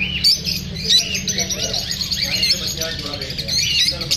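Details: Lovebirds, unsettled by the filming, keep up steady high, raspy chirping with a couple of louder squeaks, while faint human voices continue behind them.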